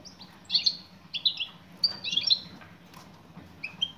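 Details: Female European goldfinch calling to draw a male: short bright chirps, some doubled, in four loose bursts over four seconds, with a faint low hum underneath.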